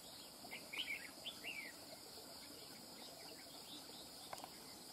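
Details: Wild-caught red-whiskered bulbul singing: several short, bright whistled phrases with quick rising and falling turns, clustered in the first two seconds, over a steady hiss of insects.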